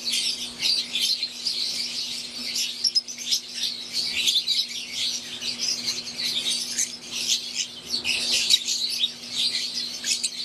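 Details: Captive Fischer's lovebirds, green wild-type and Euwing, filling an aviary with ten seconds of dense, high-pitched chatter; countless overlapping chirps and squeaks form a steady wall of sound above a faint hum.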